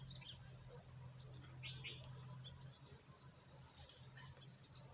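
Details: A group of parakeets giving short, high, sharp chirps in bursts about every 1.5 seconds, some with a lower trailing note, over a steady low hum.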